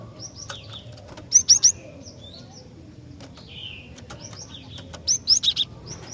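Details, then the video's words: Female cinereous tit calling to males: two bursts of three to four loud, sharp, rising chips, a few seconds apart, with softer high chirps and a short buzzy note in between. "Kicauan Glatik Betina Gacor Dor"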